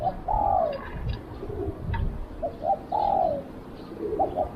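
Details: Spotted dove decoy luring wild doves, a long descending coo, then two short notes and another long falling coo, phrases repeating with low outdoor noise behind.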